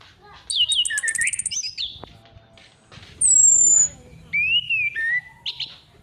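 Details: Female orange-headed thrush calling as a lure: fast ticking notes running into dipping whistles, then a long thin high whistle sliding down, followed by a drawn-out falling whistle and short high notes.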